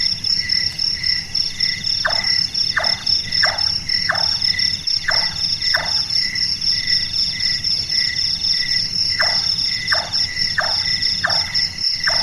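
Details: Two bouts of knocking from a large-tailed nightjar, a night-active bird whose call resembles someone doing woodwork: six chonks, a pause of several seconds, then five more, with crickets trilling steadily.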